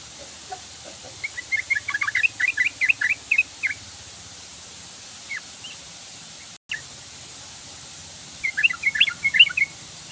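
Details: Sooty-headed bulbul singing outdoors: bursts of quick, bubbly chirping notes in short chattering phrases, a pause with a single stray note, then another lively burst, over a steady hiss of rural background noise.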